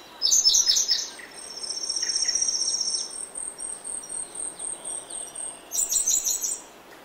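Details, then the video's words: Grey-backed thrush singing early in the morning in oak woodland: bright, high twittering phrases open and close the passage, with a long steady high insect-like whine and soft pulsing chirps between them. "Woodland. Early Morning In Oak Woodland. Prominent Song From Grey-Backed Thrush."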